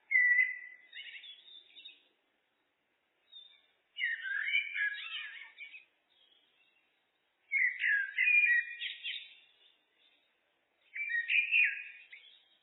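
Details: A blackbird, Turdus merula, sings four separate warbled phrases, each about two seconds long. The notes are fluty with scratchy twittering endings, and quiet gaps fall between them. The background is clean.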